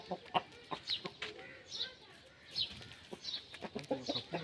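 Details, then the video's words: Aseel rooster singing for a hen: a busy run of short clucks and high chirpy notes repeated irregularly over about four seconds, with sharp clicks between them. "Aseel Rooster Crowing and Singing for Hen"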